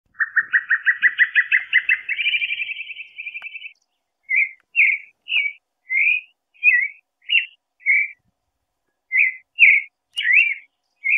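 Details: Creamy-bellied thrush singing in caatinga scrub, shy and hidden but singing steadily: a fast run of about a dozen repeated whistled notes, then a sustained trill, then short separate warbled whistles at a regular pace, with no other sounds.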